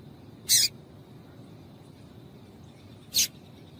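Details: Female yellow-bellied seedeater calling to excite and warm up males for singing tournaments: two short, sharp, high chips about two and a half seconds apart over a low steady hum.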